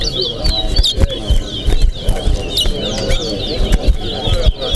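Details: Towa towa, the chestnut-bellied seed finch, singing in a competition at Corriverton. Thin, high chirping notes with quick bent slurs run nearly continuously beneath loud voices of the watching crowd.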